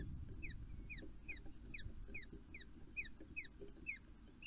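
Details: Early-morning Osprey pair at Poole Harbour on 5 June, meeting and mating: a steady run of piercing, downward-slurred whistled cheeps, roughly two or three each second, over a constant low background rumble.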